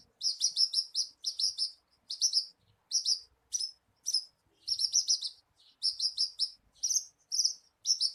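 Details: Javan bushlark song used as a lure to set a kept bird singing: rapid, high, scratchy trills in bursts of about half a second, coming steadily with brief gaps between them.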